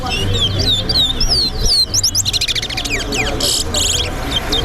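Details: Towa-towa (seed finch) singing in a bird race competition at a bird ground: rapid whistled upslurred and downslurred notes, then dense buzzy bursts, over a steady low hum of crowd chatter and background noise.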